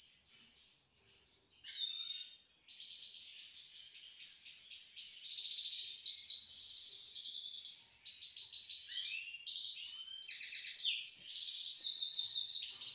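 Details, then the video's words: Sustained, fast warbling song of a pet grey-headed goldfinch, Istaravshan: a long run of high tinkling twitters, trills and buzzy notes with only two short breaks early on. "Мой седоголовый щегол город Истаравшан"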